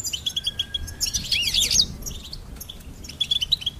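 A goldfinch sings a rapid, high, tinkling twitter with quick repeated notes and a burst of buzzy, liquid trills in the middle. A faint low rumble sits underneath.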